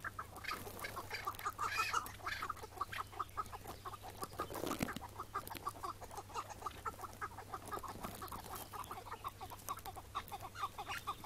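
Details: Chukar partridge caught on a May 2017 morning partridge hunt and later released; a long, rapid run of clucking chuck notes, loudest early, continuing steadily with brief rustling in the middle.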